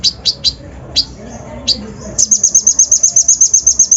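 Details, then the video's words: Brown-throated sunbird (kolibri ninja) lure song with rough fill-in phrases, used to rouse other birds: a few sharp, high chirps at irregular intervals, then a fast, even series of thin high notes, about seven per second. "PANCINGAN KONIN BAHAN FULL ISIAN KASAR COCOK UNTUK MENAIKAN EMOSI BURUNG BAHAN"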